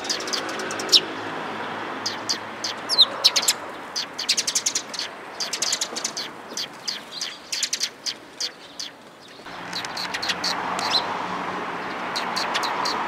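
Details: Sparrows coming to be given food, recorded on 11 April 2022 along the way out: dense bursts of short, sharp, high chirps from several birds, pausing briefly near the end before a wash of broad background noise returns.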